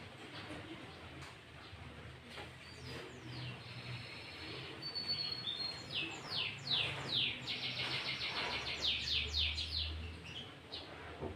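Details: Sooty-headed bulbul, a lure recording for trapping and training other bulbuls: after a quiet start, a burst of rapid, bright chirping notes repeated about twice a second, with steady background noise.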